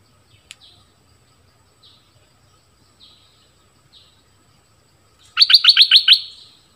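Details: Southern Thai decoy bulbul: a few faint, soft high notes scattered over five seconds, then a sudden loud burst of about six rapid, bright chattering notes near the end.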